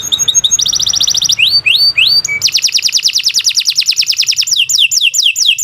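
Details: Canary singing long and nonstop, used as a tutor recording for training other birds: rapid high trills, a run of rising upslurred notes, then a long pulsing roll and dense chattering phrases.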